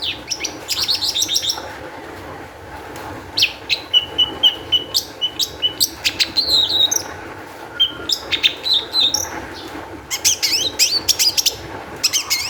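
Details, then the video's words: Excitable Long-tailed shrike in full song, meant to provoke other shrikes into singing: dense runs of harsh chattering notes mixed with clear whistles, delivered in rapid bursts separated by brief pauses. "cendet gacor EMOSI TINGGI cocok untuk PANCINGAN CENDET AGAR BUNYI jadikan burung pentet gacor dorr"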